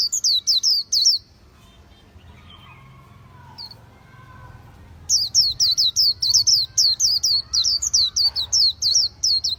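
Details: Khuyen bird song starting with a short burst of sharp falling whistles. A quiet gap with faint low sounds follows, then a long, energetic run of rapid high notes.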